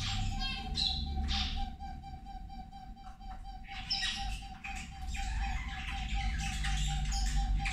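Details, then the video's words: Zebra finches feeding: a few clear, nasal, stacked beeps open the recording, followed by a quieter stretch, then a busier burst of squeaky calls. A steady pulsing tone and strong low rumble continue underneath. "Australijske zebe ručak"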